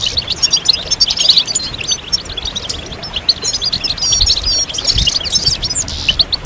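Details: Collective European goldfinch song, 'sitsita' and 'bitbita' style, aimed at encouraging birds during moult. Steady dense high twitters and metallic chirps from several birds, faint low thuds.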